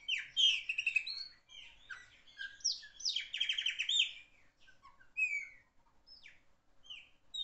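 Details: Chopi blackbird, a loud singer, in full song: rich varied phrases of clear whistles, slurred rising and falling notes and short buzzy chattering trills, delivered in quick bursts with brief pauses, then sparser single notes toward the end.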